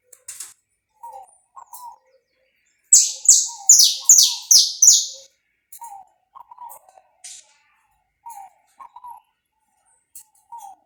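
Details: Warm-up song of a saffron finch, recorded live and uncut, pega pé style; one rapid burst of six piercing, high, descending notes amid repeated soft, low cooing phrases from another bird.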